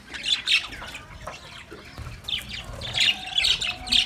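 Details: Budgerigars in a cage, described as happy and playing, give scratchy high chirps at the start, a quieter stretch of soft warbling, then renewed bursts of squawky chirps.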